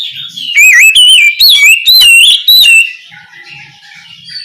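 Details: An Oriental magpie-robin calling its companion: four or five loud, wavering whistled phrases with twisting pitch follow one another quickly, then the calling stops and only faint low background sounds remain.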